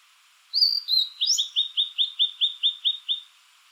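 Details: A blue-and-white flycatcher, summer visitor to the hills and mountains of Japan north of Kyushu, perched on a treetop or dead branch and singing slowly: long clear opening whistles, then about ten evenly spaced slurred notes, clean background.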